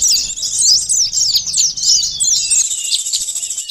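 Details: Bird-catching lure of a sunbird (konin, sogon): high, scratchy twittering made of quick up-and-down slurred notes, roughly a phrase every second or so, fading slightly toward the end.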